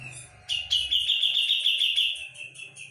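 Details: Brown-cheeked bulbul from Java singing strongly, opening with a sudden loud burst that settles into a sustained, rapidly trilled high phrase slowly fading away, with a faint low rumble at the start.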